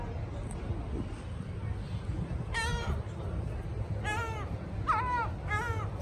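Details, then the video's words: Gulls at Bristol Harbour giving a series of four harsh, laughing, downslurred squawks, spaced about a second apart in the second half, with a constant low-pitched rumble of city and water-side background noise throughout. "Seagulls talking at Bristol Harbour"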